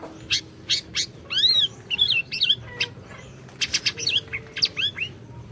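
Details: Vigorous Orange-bellied leafbird song, used to lure a silent leafbird into singing. Sharp ticking notes open into harmonic whistled slurs, chattering twists and a dense burst of chips near the end.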